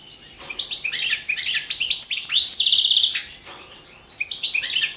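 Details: European goldfinch singing for the internet World Championship in Goldfinch Song: quick sparkling twitters, a steady buzzy rattle at the centre, a brief drop in volume, then fresh chirpy phrases.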